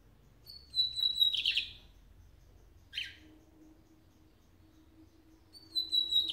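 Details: Lined seedeater presented as an exceptionally fast singer: a high thin whistle runs into a rapid buzzy trill. A short raspy note follows, then a new whistle starts the next phrase, with a faint low hum behind.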